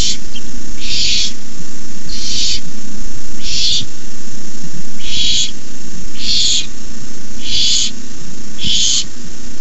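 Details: Young barn owls hissing in the nest at night during an adult's rabbit delivery; a fast series of seven or eight breathy hisses, roughly one a second, above a steady low rumble.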